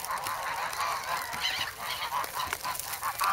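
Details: Hungry, noisy grown goslings in the snow at Sloterpark, Amsterdam, 3 February, seeking bread; Sanyo SH1 recording. Quieter, more distant nasal honks blur together over a hissy background, with a few clearer rising notes.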